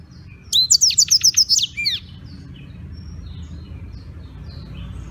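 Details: Black-throated canary in Beng, Gianyar, Bali, sings a brief phrase used as tutoring material: about eight rapid, evenly repeated high notes forming a short trill ending in two downward slurs, followed by several seconds of low background noise.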